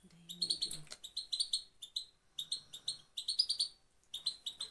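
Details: Goldfinch song from Afghanistan, played to motivate male birds; quick runs of sharp twittering notes and trills in short bursts, separated by brief gaps, with a low hum at the start.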